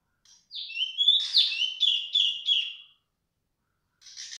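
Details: A female cungkok, loud and calling nonstop, gives a bright series of about seven quick whistled notes, each sliding sharply downward, in under three seconds, followed by a short, softer burst of twittering.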